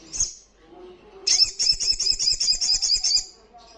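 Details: Olive-backed sunbird giving a brief high note, then a dense two-second burst of fast, buzzy ngalas trilling with a pulsing rhythm. A faint low hum runs underneath.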